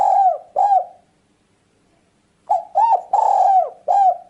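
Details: Calling spotted dove, played to attract birds for trapping: the tail of one phrase of hooked coos, a quiet gap, then a full phrase of short, long and short soft notes.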